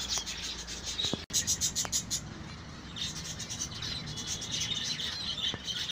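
A colony of zebra finches keeps up a dense, high chatter of short nasal beeps and chirps.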